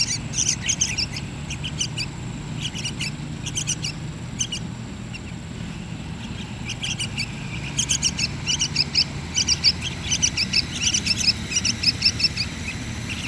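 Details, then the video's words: Yellow-vented bulbul young being fed by hand, uttering scattered groups of shrill, rapid chirps that fade mid-clip then resume more densely, with a continuous low rumble underneath. "Suka duka meloloh anakan trucuk an"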